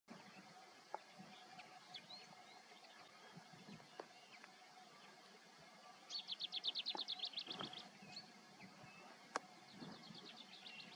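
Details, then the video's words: Eurasian stone-curlew at Doux, France, in April 2022, giving a fast run of about a dozen high, clipped notes, then a shorter repeat, over steady background hiss and a few sharp clicks. "Triel – Oedicnème criard – Stone curlew -Kocagöz (Burhinus oedicnemus)"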